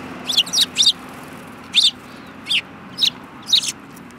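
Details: Sparrows, among them one with a yellow beak, recorded 24 February 2018. Clear, loud chirps in quick runs, three at the start, then evenly spaced single and paired notes every half second.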